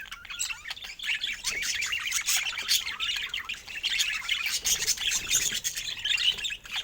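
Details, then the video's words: Busy, steady chatter from pet budgerigars: rapid twittering, squeaky chirps and short rising whistles overlap throughout at a fairly even loudness. "Budgies with Funny Joyful Sounds"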